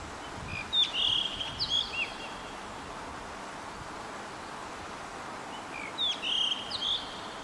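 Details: A red-bellied blue rock thrush (Monticola solitarius philippensis) sings two clear, fluty phrases about five seconds apart, each a quick run of bright whistled notes over steady hiss. Recorded in Sendai City, Japan, on 5 May 2014.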